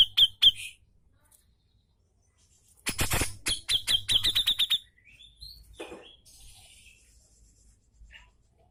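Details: Cucak jenggot, the brown-cheeked bulbul, in a recording used to coax lazy birds into singing: a few sharp high notes, then noisy rasps giving way to a quick train of piercing repeated notes, then faint scattered chirps.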